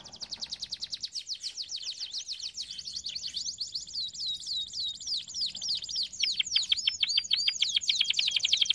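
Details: Canary song for training canaries: rapid high trill running into repeated descending whistled sweeps, then louder fast rolling notes, roughly three per second.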